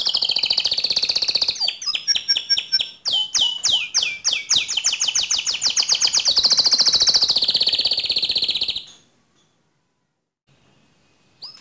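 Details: Vigorous, nonstop canary song offered for training other canaries: loud, high, whistled notes and repeated rapid trills, shifting between phrases, with a long buzzing roll before stopping abruptly into silence after about nine seconds.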